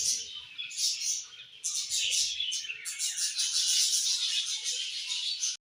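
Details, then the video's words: Pet budgerigars chattering in the evening: loud, dense high twittering and squeaky warbles in overlapping bursts, a short lull early on, then a sustained stream of chirps to the end. "𝑩𝒆𝒂𝒖𝒕𝒊𝒇𝒖𝒍 𝑩𝒖𝒅𝒈𝒊𝒆𝒔 𝑺𝒊𝒏𝒈𝒊𝒏𝒈 𝑺𝒐𝒖𝒏𝒅𝒔 𝑰𝒏 𝑻𝒉𝒆 𝑬𝒗𝒆𝒏𝒊𝒏𝒈"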